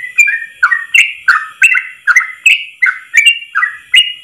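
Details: Trucuk (yellow-vented bulbul) singing continuous ropel song in a single breath, a master recording for trucuk training: about eleven bright, slurred whistles in quick succession, alternately rising and falling, each with a sharp click.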